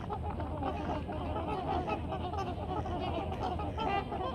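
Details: Trumpeter swan family groups taking off at sunset from water and land, calling in a dense chorus of low, honking trumpet notes over a steady rumbling roar, likely wingbeats and splashing; families call to each other before takeoff.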